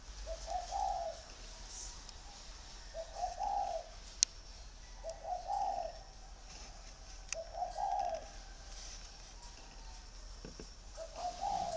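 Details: Caged male spotted dove, large-bodied and kept six years, from a bird garden in Ba Vì, Vietnam, singing in the 'giọng thổ' voice style: low, hollow cooing phrases repeated roughly every two and a half seconds, five in all, with faint clicks behind.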